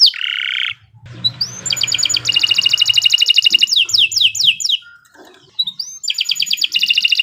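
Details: Caged-style canary song used for training other birds: a buzzy opening note, then rapid rolling trills and quick repeated sweeping notes, bright and high, ending in another fast trill; soft low hum underneath.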